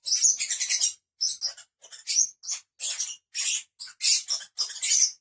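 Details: A group of five pet lovebirds produces sharp, piercing squeaks and scratchy chirps in short clustered bursts separated by brief silences.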